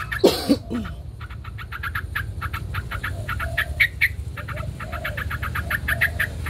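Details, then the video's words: White Chinese hwamei singing in competition while spreading its wings: rapid trains of short clicking notes repeated throughout, with loud harsh bursts at the start and soft low cooing from a dove in the background. "Hoành hoạch trắng hót đấu xòa cánh"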